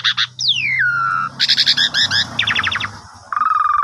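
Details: Asian pied starling lure song for the morning, aimed at a sulking bird: a long falling whistle into a low hum, then rows of buzzy stacked notes and a final low trill over a faint steady background hum.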